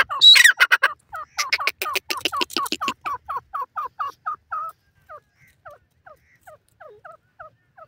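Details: Caged grey francolin, known locally as dakhni teetar, calling. A harsh burst leads into a fast train of loud, clipped notes that gradually slows and fades into softer, spaced, downslurred whistles.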